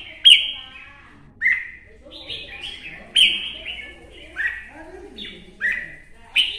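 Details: Old wild-caught red-whiskered bulbul from the forests of Quảng Nam, Vietnam, repeats loud, short warbled whistled phrases roughly every second, each opening with a sharp bright note, with faint low murmuring voices in the background.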